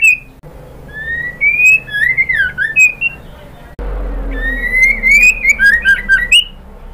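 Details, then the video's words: Female white-rumped shama calling to a male: two lively phrases of rapid rising and dipping whistles, each several seconds long, separated by a brief gap. Low background hum throughout. "SUARA MURAI BATU BETINA MEMANGGIL JANTAN"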